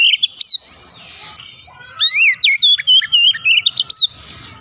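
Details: Oriental magpie-robin song played for a caged household bird that is reluctant to sing: loud rapid chattering phrases of buzzy, warbled notes with sharp up-and-down sweeps, delivered in quick repeated bursts.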